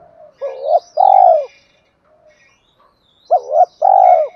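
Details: Spotted dove, 'giọng thổ' voice style, played as a lure to stir wild doves into cooing: two phrases, each a quick double note then a drawn-out vibrating coo, separated by a pause of about two seconds.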